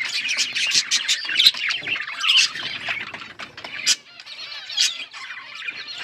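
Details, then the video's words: Several budgies chattering at once, with rough squawks and twittering chirps packed closely together, loud at first and then thinning to softer warbling. "Budgies singing"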